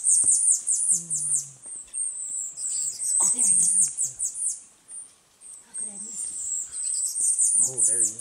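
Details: Tanager finch giving very high, thin chirps in rapid runs of repeated notes, pausing briefly and resuming, while a person talks softly nearby.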